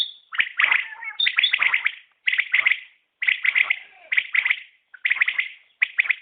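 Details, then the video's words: Common quail (batair) calling: sharp, liquid three-note phrases repeated in steady bursts roughly once per second, each group a quick rhythmic triplet, with short silent gaps between and no other sounds. "Batair Ki Awaz | Common Quail Calling| Naye Batair Ki Awaz|New Recording Common Quail| Batair sounds"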